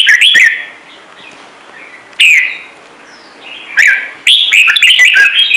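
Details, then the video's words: Red-whiskered bulbul giving short whistled phrases that swoop up and down, with quiet gaps before a final rapid string of bright notes. "CHÀO MÀO | Trung Mang hót giọng chuẩn cực hay - Bổi nghe là hót"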